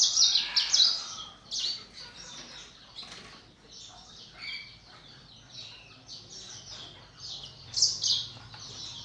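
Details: Canaries and black-throated canaries kept in a breeding flock, morning; high scratchy twittering phrases and trills from several birds, with bursts of wing flutter.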